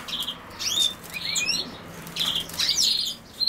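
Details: Chattering European goldfinch song tied to common sow-thistle: high, bouncy chirps, rising and falling slurs and a brief buzz, delivered in lively clusters.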